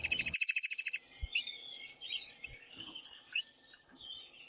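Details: Male canary singing excitedly to stimulate a female, opening with a fast, loud, evenly pulsed trill, followed by softer scattered twittering and short whistled notes.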